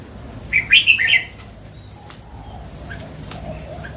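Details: A wild red-whiskered bulbul, an old forest bird, gives a single lively phrase of three or four rapid, slurred whistles lasting under a second. Only faint chirps and low rumble follow.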